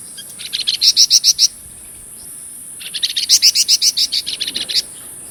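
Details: Flamboyan songbird singing vigorously, a recording offered for training murai batu and kacer: two bursts of rapid, evenly spaced sharp chip notes, about seven then about fifteen, each rising in strength, over a steady high insect-like hiss.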